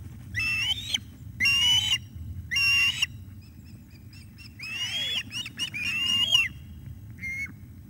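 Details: Evening of 17 July 2021, an osprey brings fish to a young bird at the nest; loud separate squealing calls, some with downward-sliding tails, roughly one per second, then a final short call after a gap, faint low background hum.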